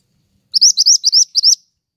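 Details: Pied triller singing actively, offered as lure and master audio for songbirds: a fast burst of about six bright, rising whistled notes, slurred upward in quick succession over roughly one second, on a silent background.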